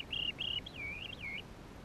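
A Chestnut-headed bee-eater gives a quick run of rolling, trilled, high calls that waver up and down over about a second and a half. Faint background hiss.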